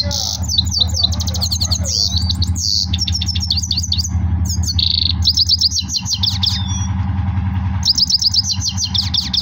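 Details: Goldfinch singing strongly, pouring out fast twittering phrases, liquid trills and a few drawn whistled notes with brief pauses between bursts, against a constant low droning hum.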